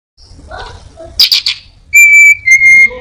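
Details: Orange-headed thrush in full song with mimicry of prinia, cat, cirtu and other birds: soft scratchy notes, a burst of buzzy high chatter, then two long steady whistles with bright overtones.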